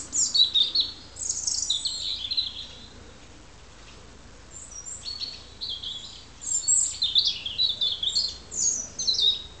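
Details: European robin singing in autumn (30 September 2007) in Alyth, Scotland, declaring a territory: high, thin, liquid warbling phrases in two bursts separated by a few seconds of quiet; faint background hiss.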